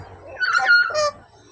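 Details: Black-capped lory with a yellow beak, a talking parrot, giving one short voiced, speech-like utterance with a clear tonal middle part, then quiet; faint low hum behind.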